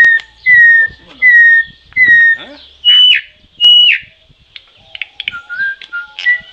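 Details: Troupial sounding three loud downslurred whistles and two higher notes, then quieter warbled whistles, over a faint low hum.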